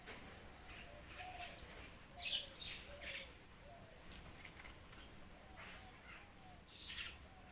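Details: A flock of myna birds calling: scattered short, harsh chirps and squeaky notes at irregular intervals, with a louder chattering burst near the middle, over a steady faint background hum.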